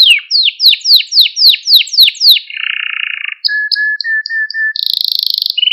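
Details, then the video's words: Canary song for training and stimulating young canaries: a row of quick downward swoops, a low buzzy rattle, faint short whistles, then a dense high trill and a brief lower note. "Kanarya Sesi Ötüş Eğitimi | Kanarya Ötüşü eğitimi | Kanarya Kızıştırma ve Huylandırma"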